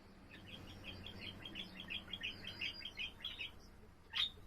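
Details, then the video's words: Budgerigar kept as a pet, singing on 7 April: a steady run of soft, evenly spaced chirrups in a chattering warble, ending with a single loud, sharp squeak. "セキセイインコ そらちゃんのさえずり"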